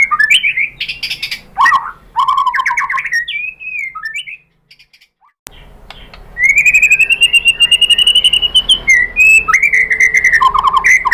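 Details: White-rumped shama song played as a lure to provoke another bird into singing: varied whistled phrases, rising and falling slurs and rapid trills, a silent pause of about two seconds, then a long steady whistle and fast chattering notes.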